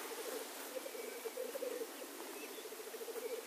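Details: Black grouse males in lek display, their soft rhythmic bubbling coos rising and falling in a continuous low chorus, partly veiled by a hissy background.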